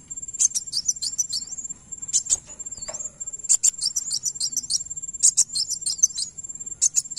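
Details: Van Hasselt's sunbird song used to draw a reply from another bird: rapid high-pitched twittering phrases with quick chirps and short up-slurred notes, repeated in bursts with brief gaps, accompanied by a continuous shrill high tone.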